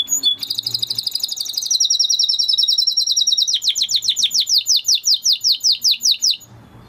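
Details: Spanish Timbrado canary, an original breed, giving a long even rolling trill that switches to a slower series of loud, steeply falling chirps, roughly three per second.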